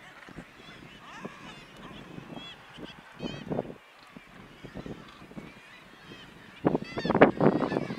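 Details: Black-legged kittiwakes with chicks on a narrow ledge on Helgoland give nasal, wailing calls overlapping in a busy colony chorus, swelling into a loud, harsh burst near the end.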